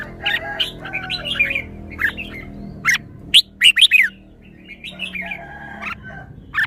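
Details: Kept red-whiskered bulbul singing: quick warbled chirps and whistles, a series of loud sharp clicking notes in the middle, then more mellow phrases, with steady low background rumble.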